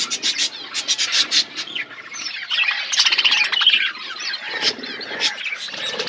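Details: Budgerigars housed in a forest-setting aviary chatter in rapid repeated chirps and buzzy warbling runs, several birds calling together at a steady, busy pace.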